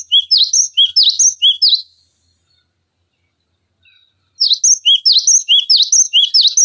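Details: Cinereous tit song used as a tutor and bait recording for training songbirds such as magpie-robins and green leafbirds: sharp, high two-note phrases repeated rapidly, a two-second pause, then another fast burst of bright chirps.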